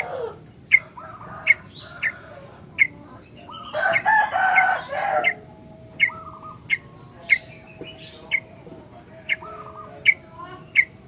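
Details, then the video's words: Sooty-headed bulbul singing a lively, full song used to prompt and train other bulbuls; short, sharp, bright notes repeat about every second, interrupted midway by a brief loud, harsh burst resembling a rooster's crow. "BURUNG KUTILANG SUPER GACOR ISIAN, COCOK BUAT PANCINGAN/MASTERAN KUTILANG LAIN"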